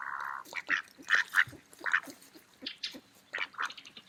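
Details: Feeding mallards at an autumn park, with a drawn-out nasal quack opening the clip, followed by a run of shorter, choppy quacks and chuckles in quick succession.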